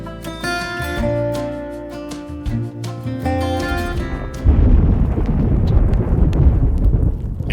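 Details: Music plays for about four seconds, then gives way to a deep, rumbling roar like heavy machinery or wind, with no animal voice.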